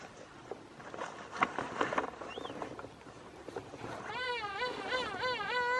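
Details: King penguin at King Penguin Park, Bahía Inútil, Tierra del Fuego, Chile, giving a loud, warbling trumpet-like call after scattered knocks and background noise.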